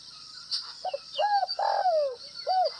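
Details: Gáy gù (bo) cooing of a Northwest Vietnam (Tây Bắc) spotted dove: a quiet double note, an arched coo, a long falling coo, and a last arched coo, close and clear against a buzzing insect background.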